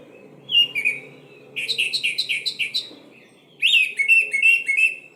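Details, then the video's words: Orange-headed thrush lure song to make silent birds start singing: loud whistled phrases, then a steady series of repeated chirps, a short break, and rich slurred whistles rising and falling in quick succession. "Suara Pancingan Anis Merah Macet Langsung Seperti Burung Kenari Gacor"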